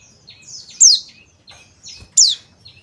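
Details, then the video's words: Male Oriental white-eye of the Bali "dakun" type calling: two thin, high, sharply falling calls about a second and a half apart, with faint softer chirps between them. "CALL PLECI JANTAN"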